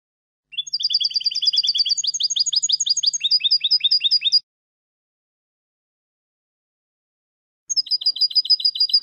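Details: European goldfinch song used to tutor young goldfinches: rapid high trilled sequences in several distinct motifs lasting about four seconds, a long gap, then another trill begins.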